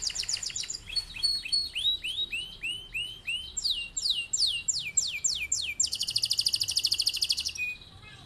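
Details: Singing canary whose long rolling song serves as a master for teaching other birds: a run of falling, swooping whistled notes climbing step by step in pitch, ending in a fast, buzzy, even roll lasting nearly two seconds.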